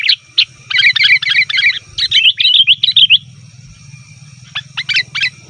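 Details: Busy chatter of sooty-headed bulbuls, a recording used to lure wild bulbuls: quick bursts of bright, tumbling chirps for about three seconds, a quiet gap, then scattered sharp single notes over a constant low hum.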